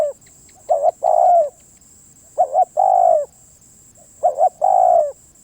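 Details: Three cooing phrases from a spotted dove, each a short doubled note followed by a long, rounded, gently falling coo, spaced under two seconds apart over a continuous faint high whine.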